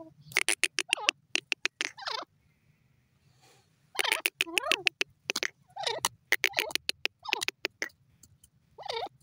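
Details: Female grey francolin (teetar) calling: bursts of sharp, rapid clicking strokes mixed with curving, harmonic notes that dip and rise, coming in groups with short silent gaps between them.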